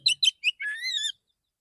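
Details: Male Oriental magpie-robin in the morning, singing in a relaxed voice to call other magpie-robins, used as a lure: three quick bright chirps followed by a longer warbled, slurred phrase, with no other sounds.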